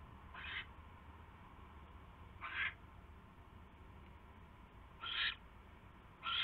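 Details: At a barn owl nest on 27 January 2016 in the evening, when a mouse is brought in, four rasping screech bursts arrive at irregular gaps of one to two and a half seconds over low background hum.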